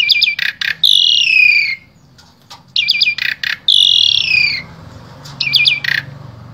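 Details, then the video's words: Asian pied starling from Wonosobo, Central Java, Indonesia, used as a vocal tutor for other starlings: clusters of sharp high clicks each followed by a long, loud, falling harsh whistle, the pattern repeated twice, then more clicks. "Jalak SUREN SUPER GACOR Full Isian Sangat Ampuh Dijadikan Guru Vokal Jalak Trotol"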